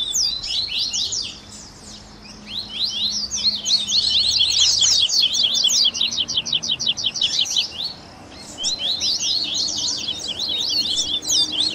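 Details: Captive-bird warm-up recording of Double-collared seedeater song: rapid high trills in long bursts, a fast evenly repeated series of sharp notes in the middle, pauses before each burst, a faint low hum beneath.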